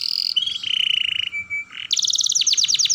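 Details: Young canary roll song used to lure and train young birds to sing: a high sweet note, a steady buzzy trill, a short pure tone, then a fast run of sharply descending chirps.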